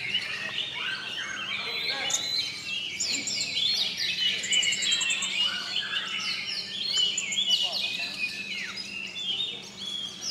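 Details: Oriental magpie-robins, caged birds in the final class of a singing competition at Sri Aman, Sarawak, Malaysia, sing together in a dense tangle of overlapping whistled phrases, sweeping slurs and rapid chirps, with brief bright trills near the top.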